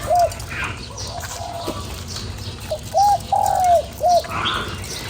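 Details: Spotted dove cooing to stimulate a lure bird. A single short hoot opens the clip, then after a pause comes a full phrase of a short note, a long falling note and a short closing hoot. Faint chirps in the background.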